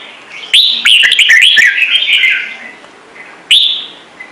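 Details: Red-whiskered bulbul singing "Trung Mang" style: a long loud phrase of rapid whistled and slurred notes, then a single bright rising whistle after a pause.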